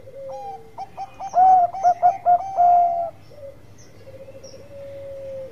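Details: Bangkok-type zebra dove in full song, used as a lure to make other doves join in: a rapid burst of loud staccato cooing notes over about two seconds, followed by softer, sustained low coos trailing away.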